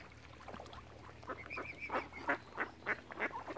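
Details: Ducks crowding around a family of swans on Lough Neagh at Oxford Island, Ireland, give rough, nasal quacking calls, about three a second and growing louder toward the end, over a thin wavering whistle.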